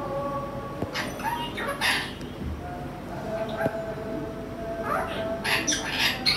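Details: A pet male Indian ringneck parrot, 21 months old, from Bangladesh, talks in a scratchy, nasal voice, reciting a rhyme in short phrases broken by shrill, hissing bursts.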